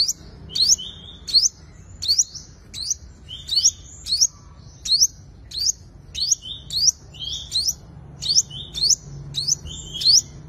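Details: Lure recording of a five-coloured sunbird's fighting song: a long run of high, quick upward-flicking chirps with brief whistled tails, about fifteen phrases in ten seconds, clean with faint low hum.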